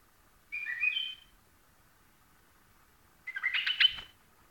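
Two short, bubbly whistled phrases from a white-eared bulbul, the second richer and more chattering, separated by a few seconds of quiet.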